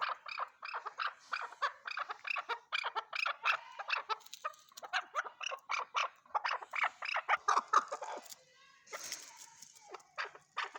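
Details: Chukar partridge calling in a long rhythmic series of short harsh chuk notes, repeated steadily several times a second, fading slightly toward the end.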